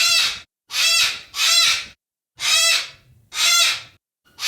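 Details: A yellow-crested cockatoo screams repeatedly: about six raucous, rasping shrieks, two of them back to back, each roughly half a second, delivered at an uneven pace with brief silences between.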